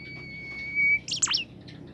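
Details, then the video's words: Singing bimoli bird, used to encourage other birds to start singing. One long level high whistle is followed by a loud, sharp cluster of harsh chirps. "burung bimoli lain nya akan ikutan gacor"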